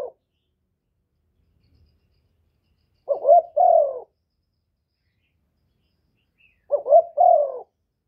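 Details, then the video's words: Spotted dove calling to stir up rival doves: the tail of one coo, a pause, then two full phrases about four seconds apart, each a quick rising note followed by a drawn-out descending coo, no background noise. "Tiếng chim cu gáy kích bổi giọng hạp bổi"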